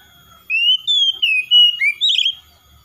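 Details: Loud, clear kacer (oriental magpie-robin) phrase: a rising whistle, level sustained notes, a lower dipping note, then a rough rattling finish, all within about two seconds in a quiet setting.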